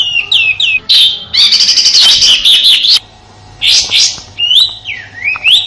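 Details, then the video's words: Harsh 'shot' song of a sooty-headed bulbul, kept in Indonesia as a master for training songbirds: a long loud grating, buzzy burst, then clear rising and falling whistles with short sharp rasps between them. "Suara tembakan kasar kapas tembak untuk masteran murai batu dan burung kicau lainya"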